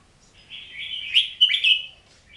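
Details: Oriental magpie-robin giving a single sustained warbling phrase with bright, piercing whistled accents near its middle and a dropping slur, over a quiet background.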